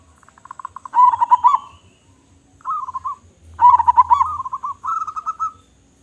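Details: Local zebra dove, a loud, actively calling bird, gives two cooing phrases near one second and four seconds: a quick stutter of short notes swelling into a warbled, rolling coo, plus a shorter coo between them. Background is quiet.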